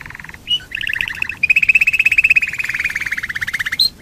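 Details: Domestic canary song meant to lure other canaries into singing: stuttering paired notes, then a long rolling trill of rapid pulses held for over two seconds, gently falling toward its close.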